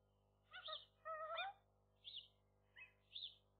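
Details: Young gull pair at their nest at midday on the day their first egg was laid, the male staying close; soft harmonic mewing calls, one longer rising wail, then short notes, over a low steady hum.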